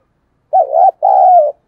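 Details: Close, clear coo from a decoy spotted dove meant to attract wild birds: a wavering first note, a brief gap, then a longer steady note that drops slightly.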